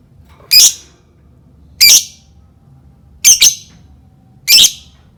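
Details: Lovebird calls used to get other lovebirds singing: four loud, harsh squawks roughly every 1.3 seconds, the third a quick double, with a faint low hum indoors between them.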